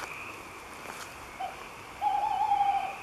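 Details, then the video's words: Tawny owl song at night from the top of an oak: a brief soft note, then a long wavering tremulous hoot held for about a second, over steady background hiss. "Chouette hulotte ( Strix aluco ) , chant dans la nuit"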